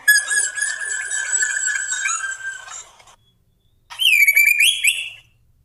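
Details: Black drongo, a male, singing steadily as a lure to make other birds sing: long nasal, harmonic-rich notes held for about three seconds, then a pause and a higher, rising whistled phrase.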